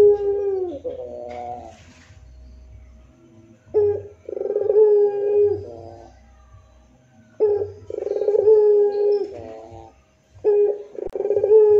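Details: Puter pelung dove repeating moaning coos about every three to four seconds. Each has a stuttered pulsed opening and a held low note, with quieter gaps carrying a faint low background hum.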